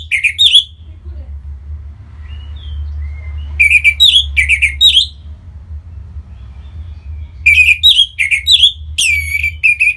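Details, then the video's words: Orange-headed thrush from North Bali singing to spur other birds. Repeated groups of quick, clear whistled notes arrive in three bouts separated by quiet gaps, varied slurs rising and falling, over a steady low-pitched hum. "Punglor Merah Lagi Berkicau.. Untuk Pancingan Bunyi dan membuat Burung Jadi Singset Gacor dan Teler"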